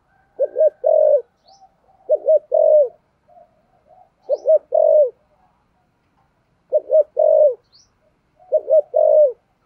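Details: Thổ sấm-voiced spotted dove giving thúc gù cooing: clusters of a quick stuttered double note then a longer resonant coo, coming in irregular bursts every one to two seconds with faint soft murmurs between.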